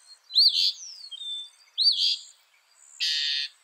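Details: Northern mockingbird mimicry for use as tutor song: two arching squeaky notes, each followed by a thin whistle, then a flat, scratchy buzz lasting half a second, over faint background hiss.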